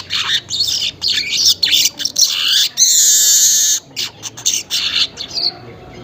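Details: Weaver singing in the early morning, about 5:40, used as a lure sound: harsh buzzy chatter in quick bursts, a drawn-out wheezy hiss in the middle, then more short rattling notes.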